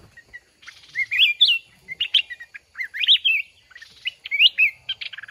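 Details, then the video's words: Mountain red-whiskered bulbul in a trapping contest with a caged decoy: lively warbled song of rising and falling whistled phrases, repeated in quick bursts with short pauses. "Chào mào núi bẫy đấu"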